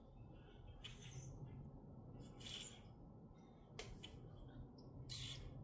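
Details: Minnesota grackles: four bursts of scratchy, hissing squawks spaced about a second apart, with short squeaky notes between and a low drone throughout.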